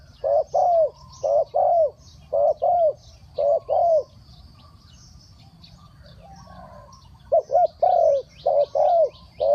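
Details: Spotted dove cooing, three-kuk-hoi style: repeated pairs of low soft notes, short then longer, in a steady run, then a pause of a few seconds before the cooing resumes; faint chirping overhead.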